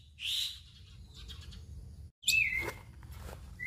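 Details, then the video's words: Indonesian black-winged myna in lively gacor song: a buzzy high burst, a brief gap, then a harsh chatter sliding into a sustained thin whistle. "Jalak Putih Gacor Full Isian"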